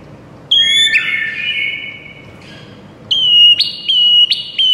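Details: White-rumped shama whistling a high steady note that slides into a long lower tone. After a pause comes a series of repeated bright, slightly falling whistles.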